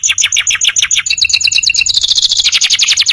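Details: Canary song for young birds in training: fast chattering double-toned notes speeding into a continuous rolling high trill.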